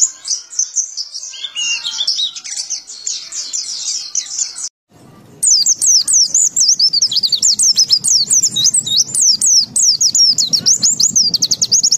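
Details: Zosterops white-eye in ngalas ngeroll song: a tight, rippling stream of high twittering, a brief silent break, then quick rolling phrases of sharply up-and-down slurred notes, about three per second, over a faint low hum.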